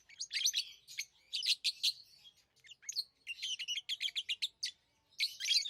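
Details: Tame pet lovebirds chirp in rapid, scratchy high bursts, a dense run of short repeated notes in the middle, then a loud closing cluster; chatter is almost continuous with brief gaps.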